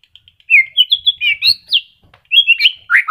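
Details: Caged white-rumped shama, just starting its moult with new feathers growing, still singing sweetly. It gives a rapid string of clear whistled notes, some sliding up and some sliding down, broken by a short pause.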